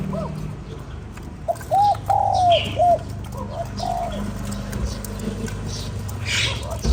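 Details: Spotted dove calling to stimulate a lure bird. After a quiet start comes a mellow coo phrase of short, long and short hoots, followed by a softer answering phrase. Light background chirps.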